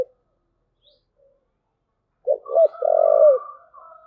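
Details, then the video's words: Spotted dove cooing in thúc gù style after near silence: two quick notes and a long, smooth low hoot, with a faint higher hum alongside. "cu gáy thúc gù"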